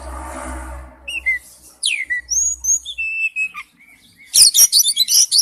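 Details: Oriental magpie-robin, wild-type forest-style song: clear whistled notes sliding down and up, a long pure held whistle, then a burst of rapid scratchy high chatter at the end; low hum at the start.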